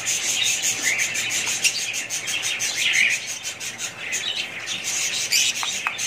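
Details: Many budgies keep up busy chatter, a steady layer of squeaky, high chirps with a few sharper notes standing out near the end.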